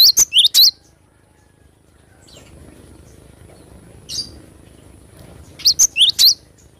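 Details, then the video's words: Cinereous tit giving two brief bursts of sharp, high paired notes, one at the start and one near the end, with a long near-silent gap between them and a faint high steady tone behind. "Glatik batu gacor suara asli alam extrime"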